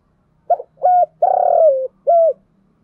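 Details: Spotted dove decoy for luring gives a crisp four-part coo: short note, level hoot, long buzzy coo falling at the end, and an arched last note, over a faint low hum.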